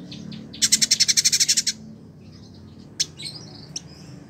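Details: Kept village indigobird (Vidua chalybeata) in Bandung, West Java, Indonesia: a fast rattling burst of about a dozen high, dry notes, then a few scattered chips and thin whistled notes.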